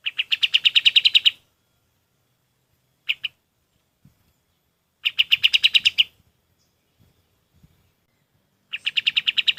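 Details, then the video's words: Kapas tembak, or golden-bellied gerygone, singing as training material for other birds. Bursts of fast, high, ringing repeated notes recur every few seconds, with one brief two-note fragment and faint clicks between them. "SUARA KAPAS TEMBAK"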